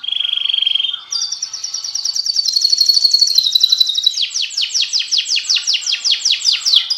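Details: Canary singing loudly and clearly: a steady high trill, then a higher buzzy rolling phrase, ending in a run of quick, evenly repeated descending whistled notes.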